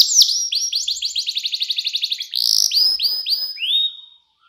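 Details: Canary song with a luxurious cengkok style, clear-voiced and used as a master recording for young canaries to learn: a fast series of repeated high chirps, then a buzzy trill and a few rising whistled notes fading out.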